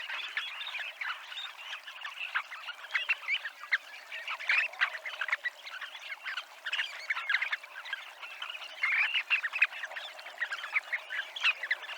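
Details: A flock of Dunlin by the seafront promenade in Abruñeiras, Noia, keeps up a steady, busy chatter of rapid clipped notes, rising and falling in intensity for about twelve seconds.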